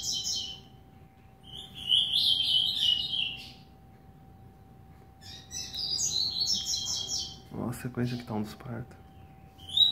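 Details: An 8-month-old Double-collared Seedeater kept at home sings bright, rapid, twittering phrases with high chirps and trills, in bursts separated by short pauses; a person speaks briefly near the end.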